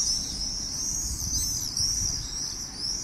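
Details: Common swifts over an old town on a summer evening, 18 July 2017 at 8 pm, giving their "Irr! Irr!" calls: thin, high, buzzy screams streaming almost continuously in overlapping trills, with a faint low rumble beneath.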